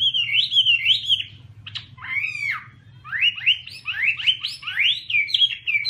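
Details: Chinese hwamei singing loud, shrill whistled phrases that rise and fall in quick wavy runs, broken by a buzzy arched note, then resuming as a rapid stream of upslurred whistles; steady low hum underneath.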